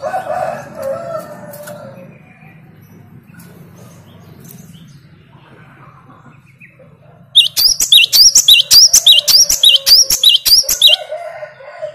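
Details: Great tit singing back at a lure of another great tit. Low rumbling background and soft noises give way to a loud run of quickly repeated high, ringing two-note phrases lasting about four seconds.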